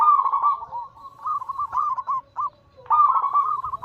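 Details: Rolling 'anggungan' coos of a zebra dove, used as a lure for other doves: nearly continuous bubbly phrases with brief dips, a short gap, then a strong final burst.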